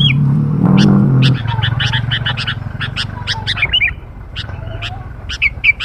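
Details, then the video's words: Sooty-headed bulbul recording used as a lure for young birds: rapid, dense chattering notes with a few short whistled slurs. A loud low rumble fills the first second and a half. "burung kutilang pikat muda"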